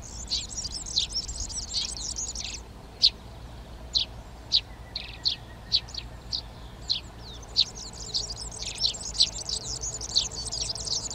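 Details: Eurasian tree sparrows in a garden in Přerov, Czech Republic, on 19 March 2020, taking over nest boxes for breeding. Sharp, high chirps repeat roughly every half second among a dense, jingling chorus of other birds.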